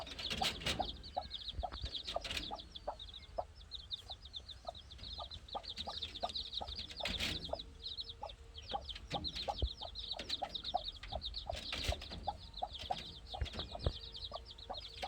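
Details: Chicks playing, many peeping together in fast, high chirps, overlapping constantly, with scattered clicks and taps and a low background hum.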